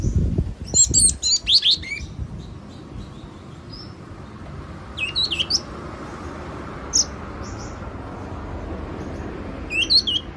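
Yellow-cheeked tit giving short bursts of high, bright chirping notes in scattered clusters, with low thumps at the start and a soft background hiss.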